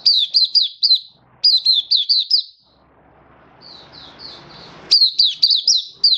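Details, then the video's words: Oriental white-eye in happy, open song as a hobby bird, recorded 24 February 2023. A run of sharp, high, warbling chirps, a pause with soft room noise and faint high notes, then another bright twittering burst. "Mata Puteh Happy Buka Sing"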